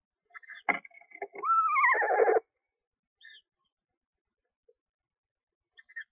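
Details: Screech owl at a nest box during feeding of owlets only one or two days old: a few scratchy sounds, then a loud quavering whinny sliding downward, followed by faint high chirps.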